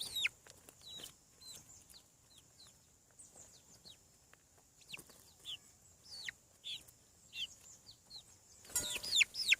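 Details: Newly hatched farm chicks give soft, high, drooping peeps repeated roughly three times a second. A louder scratchy burst of sound comes at the end.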